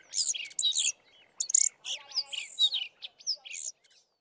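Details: Fiscal Flycatchers, at least four, singing with fanned tails in a valley near Committees Drift; jumbled high chirps and squeaky notes tumbling together, with a faint lower buzzy rattle in the middle and a little sparrow-like mimicry.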